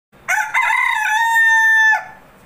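A Polish rooster gives a single crow of about two seconds, a harsh, stepped opening that levels into a long, steady, ringing note before cutting off.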